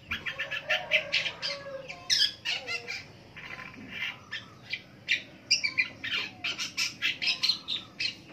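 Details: Long-tailed shrike in morning song, a fast, busy run of scratchy chattering notes and short squeaky whistles, delivered almost continuously with few breaks.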